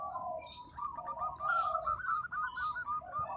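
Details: Local zebra dove song, with fast rolling cooing notes strung together almost continuously at a mid pitch and overlapped by softer coos and faint chirps from other birds, over steady low background noise.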